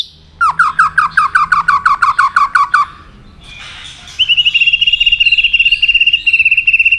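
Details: White-rumped shama being stimulated to fight-sing, with tail flicking: a series of about eleven loud, clear, downslurred whistles repeated rapidly, a short pause, then a fast, even, high-pitched trill lasting about three seconds.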